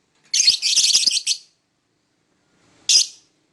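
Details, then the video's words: Lovebird in the morning: a second-long burst of harsh, chattering high notes, a long pause, then one single shrill chirp. "Lovebird singing and chirping sound in the morning"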